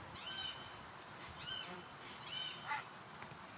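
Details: [1, 'likely', 'call', 'Water rail at Sangweiher in the Eifel, early August 2022. Arched, high, squeaky notes come roughly once a second, about four in a row, with a sharp short note near the end over faint background hiss.']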